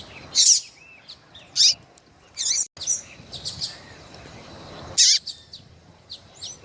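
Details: Female Double-collared Seedeater calling to warm up a male for breeding, uttering isolated loud high chirps about every second, with softer notes between and faint background hiss.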